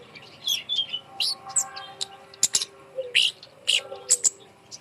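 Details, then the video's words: Kemade bird placed up high to prompt birds that are slow to sing. Bright chirps and short twitters are irregularly spaced, with a brief low whistled note. "gantang burung kemade di atas untuk pancingan burung malas bunyi"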